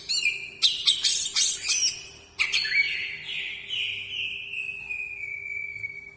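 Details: Greater green leafbird delivering loud harsh rasping bursts, then a long slurred whistle that slowly glides downward and fades, over a quiet steady low hum.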